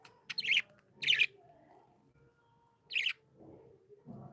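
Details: Pet budgies, said to be happy, give three short raspy chirp bursts about a second apart, over faint low background hum and a soft thud at the end.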